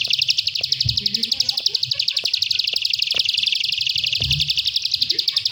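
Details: Prenjak sawah (bar-winged prinia) singing the klik style: a rapid, steady train of bright, high ticking notes that never pauses, with low murmured speech and a couple of soft knocks underneath.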